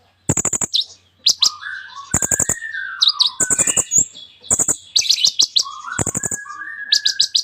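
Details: Kolibri ninja sunbird singing a busy full song with imitated phrases. Repeated bursts of fast clicks alternate with buzzy high notes and wavering mid-pitched whistles across seven seconds.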